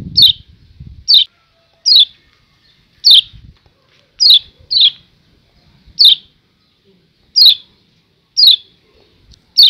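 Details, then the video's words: A Lombok yellow white-eye (kecial kuning) gives "ciak ciak" calls: sharp, high, downslurred chip notes, singly or in quick pairs, roughly once a second at an uneven pace, with faint low rumbles beneath. "Ciak Ciak Kecial Kuning"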